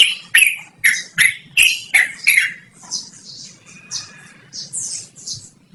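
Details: Loud, clear song of a yellow-vented bulbul, used for luring or training birds: six strong, harsh chattering notes in quick succession, then softer, higher twittering and a faint thin whistle.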